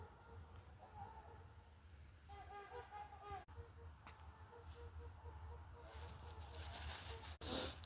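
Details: In February, a flock of Trumpeter Swans, possibly flying away through trees out of sight, gives short, nasal, horn-like honks repeated in quick runs, sounding like spring, with steady low wind rumble and brief handling noise.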